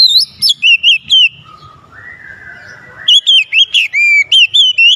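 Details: Oriental magpie-robin song used to stir a lazy, reluctant bird into singing: loud, varied whistled phrases with sharp bends and slurs, a pause of softer sustained tones midway, then rapid repeated whistled notes resuming.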